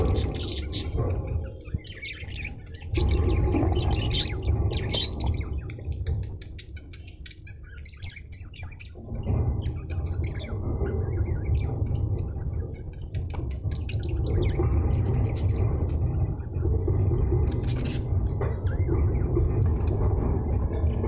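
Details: Pet budgerigars chirp and chatter in quick, scratchy bursts over a heavy low rumble.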